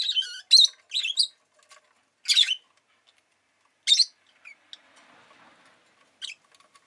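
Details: Pet rosy-faced lovebird giving harsh, broadband chirps and squeaks in short bursts, several close together at the start then spaced about every one to two seconds, with faint city noise between calls.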